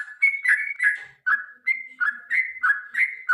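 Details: Long fighting song of a Yellow-vented Bulbul, used to make birds sing: lively chain of liquid whistled phrases, alternating high flat notes and lower warbled ones, delivered rapidly without break.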